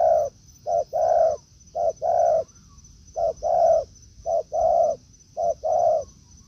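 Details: Spotted dove, a decoy taken to the forest meeting a wild rival. A low clipped note followed by a drawn-out, even coo, repeated in a steady series of paired phrases. A faint electronic hum is also present.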